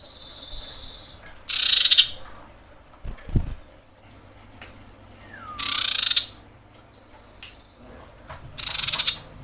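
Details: Common iora female in breeding condition calling males, recorded as bait: a whistled note, then three harsh buzzy rattles spaced about three to four seconds apart, with a brief low thump and soft knocks between them.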